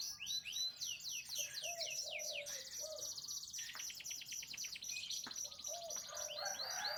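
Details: AF lemon canary song, played for canaries that have stopped singing: rapid, varied warbling with high rolling trills, sweeping whistles and buzzy rattles, delivered continuously, with a few lower mellow notes underneath.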